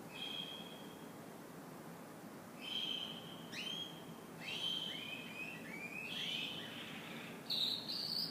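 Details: Canary singing in the morning: scattered whistled notes and short downward-sliding phrases, high and clear, building toward quicker warbled runs and a brighter burst near the end, over a soft steady background hiss.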